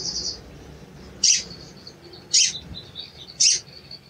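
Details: Three clipped, very high cuit notes from a sooty-headed bulbul, roughly one per second, after a brief high trill; used as a lure to provoke a bird that is not singing.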